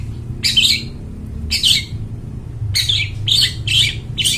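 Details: Long-tailed shrike singing loud and clear as a lure for wild forest birds: rough, squawking high notes, two spaced apart then a quicker run of four, over steady low-pitched hum.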